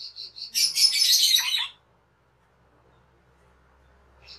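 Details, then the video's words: Cucak keling cage bird used as a training master. A few clipped chirps lead into a long, loud, grating rasp, followed by near silence. "SUARA MASTERAN CUCAK KELING/KERLING"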